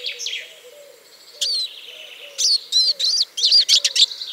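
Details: Eurasian siskin song opening with a few soft notes, then a sharp rising whistle and a quick series of loud twittering chirps toward the end, over a faint low hum.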